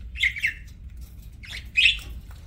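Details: Budgie eating and chirping: two harsh double chirps separated by a pause, scratchy and bright, with a quiet indoor hum underneath.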